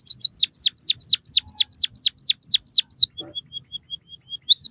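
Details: White-headed munia song used for mastering captive birds: a fast series of about a dozen high, down-slurred whistled notes, then a row of thin, even, steady high notes, ending with a rising note.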